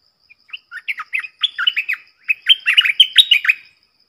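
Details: Wild streaked bulbuls recorded as a lure sound as a whole flock arrives: rapid, dense chattering of bright, slurred chirps and short warbled notes, closely packed and irregular, rising in volume toward the end.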